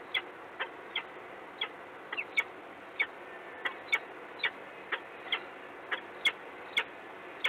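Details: Peregrine falcon in Gdynia, Poland, morning of 26 February 2016: brief, hard tick-like calls, about two dozen per minute at uneven intervals, a few doubled, against a quiet hissing background.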